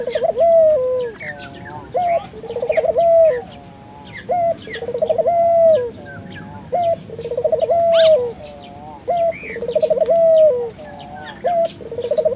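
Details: Spotted dove cooing, used as a lure to stimulate local doves to call: a short clear note, then a rapid rolling trill that ends in a drawn-out falling coo, the phrase repeated about every two seconds; faint small-bird chirps and a steady high whine behind.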